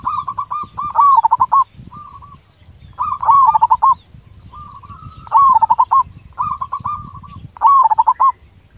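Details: Local zebra dove with a big voice, singing a lure song for fast answers. Four loud phrases come about every two seconds, each a drawn coo breaking into a quick rolling run of notes. Light crackle in the background.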